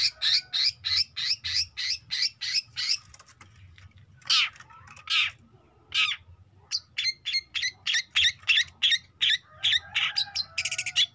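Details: Juvenile long-tailed shrike in energetic song: quick runs of rasping, chattering notes broken by a few louder, harsher squawk-like calls midway, then another fast scratchy sequence.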